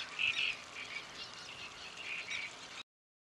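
Great reed warbler giving a harsh, grating run of croaking, chattering notes, loud at first and then steady for nearly three seconds, with no other clear sounds.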